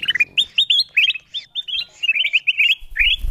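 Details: Kutilang emas bulbul lure sound: lively sequence of short whistled chirps, each rising sharply, delivered in quick succession with brief gaps.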